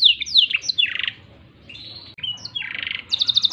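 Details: Tutor song of a black-throated canary for teaching canaries: quick descending slurred whistles and a buzzy burst, a short quiet pause, then thin whistles, another rasp and a rapid trill at the end.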